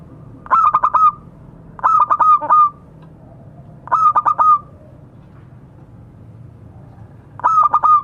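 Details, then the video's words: Local zebra dove calling to its companions: four bursts of stuttering, rapid-fire coos, each a quick run of clipped mellow notes ending in a short drawn note, repeated every one to three seconds over a low background hum. "Suara burung perkutut memanggil kawan."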